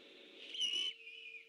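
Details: Great horned owl at the Decorah eagle nest at night, 3 October 2015, on alert: a brief, high, clear whistled note, preceded and followed by a softer hiss, with a steady low hum throughout.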